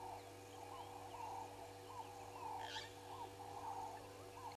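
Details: Ring-necked doves on a fallen tree at Gowrie dam waterhole, Djuma Game Reserve, Sabi Sand Wildtuin, South Africa, filmed by a live waterhole camera on 08/02/2022 at 15:02; faint low cooing phrases repeat about once a second, with a brief higher bird note and steady electrical hum.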